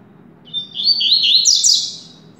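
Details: A contest double-collared seedeater from a breeder sings a quick high phrase: a thin opening note, then a run of buzzy up-and-down notes rising into a loud, sharp finish, over a soft low hum.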